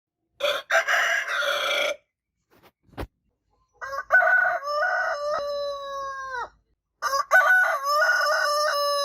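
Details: Rooster crowing repeatedly: a short rough burst, then two long crows a few seconds apart, each starting harsh and ending in a steady, drawn-out tone, with silence in between.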